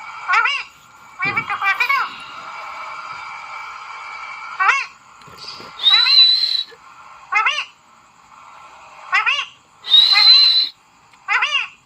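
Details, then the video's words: Pet talking parrot indoors, mimicking speech: short harsh squawky phrases with sweeping harmonics at irregular spacing, mixed with sustained whistled tones and two piercing high whistles, separated by quiet gaps. "बोलने वाला तोता । ए मिठ्ठू ।। cute talking parrot"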